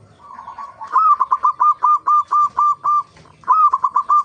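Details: A local zebra dove sings a lure phrase meant to make other zebra doves call: a long even series of about ten clipped, steady coo notes, then a second burst begins with a higher opening note.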